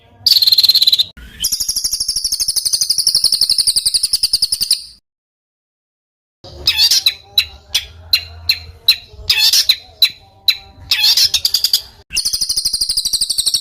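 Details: Bird with a rough, tight roll, used to train fighter songbirds. Piercing buzzy trills are cut by a silent gap. Then come sharp clipped chip notes at an uneven pace and more high rattling trills.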